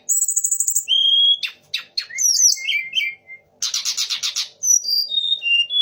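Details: Sunda laughingthrush in full song, mixing in imitations of the magpie robin, white-rumped shama and orange-headed thrush. Varied high whistles, slurred notes and rapid buzzy trills switch every second or so, with short pauses.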